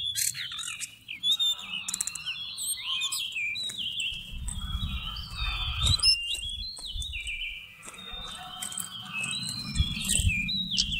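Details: Seychelles magpie-robin song from a November 2016 recording used to lure birds for trapping: varied whistled phrases, slurred notes rising and falling, given in quick bursts with short pauses, over low rumbling background noise and scattered clicks.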